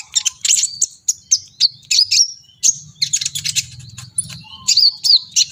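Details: Brown-throated sunbird singing vigorously in an agitated state: a rapid, busy stream of high chirps, sharp twitters and short whistled trills with brief pauses. A low murmur runs underneath.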